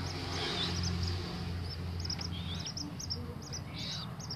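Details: A tame Common moorhen chick gives thin, high peeping chirps, several a second in uneven bursts, over a steady low mechanical hum.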